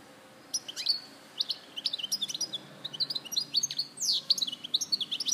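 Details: European goldfinch from Larache, 2014, delivering a fast continuous twittering song of liquid chirps, slurred whistles and sharp rising and falling notes, rapid and tinkling throughout.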